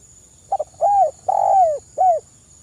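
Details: Mellow spotted dove call of the kind used to lure others: quick doubled opening notes, then a rising-and-falling coo, a drawn-out descending coo, and a closing short coo, against a faint electrical whine.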